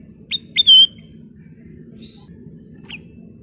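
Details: Sooty-headed bulbul (kutilang emas) in lively song: two quick sharp notes leading into a bright wavering whistle, a faint buzzy note, then a single short note after a long pause, with a steady low hum behind.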